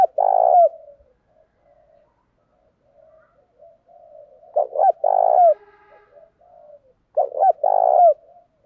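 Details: A spotted dove decoy lures wild doves with repeated cooing, switching phrases constantly. Three low phrases, each of two short rapid coos then a sustained grainy coo, recur about every two and a half seconds, with soft murmuring between them.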